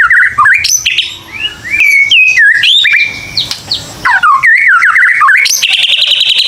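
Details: White-rumped shama lure song, used to encourage young birds to sing: varied fluty whistles that leap and slide, then a fast trilled stretch and a sustained high buzzy rattle at the end.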